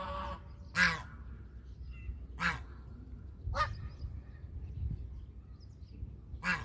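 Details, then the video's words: Domestic goose giving five harsh honks roughly one and a half seconds apart, with a low rumbling background. "Country goose call"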